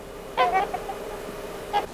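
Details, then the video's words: A trumpeter swan in Idaho in winter, a social species whose family groups call back and forth, gives a quick burst of nasal, horn-like honks and then one more honk after a brief pause, over quiet background hiss. "for the first time in a hundred years their old haunts will hear the distinctive Cry of the trumpeter swan echoing to the winter Stillness"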